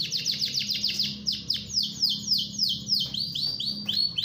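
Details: Singing canary in full song, described as a strong 'ngerol' rolling song used as a master tutor for other canaries; rapid repeated descending whistled notes in quick rolling series, several phrases changing pace, faint low background hum.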